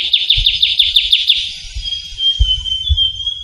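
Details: Trilling shrike-babbler (ciu kunyit) recorded in Java's forest: the end of a fast trill of downslurred notes gives way to a long, thin, steady high whistle, with soft low thumps beneath.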